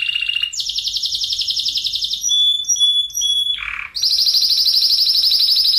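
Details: Spanish Timbrado canary song recorded to train other canaries: a high fast roll, clear held whistles in steps, a short low rattle, then a long high rolling trill.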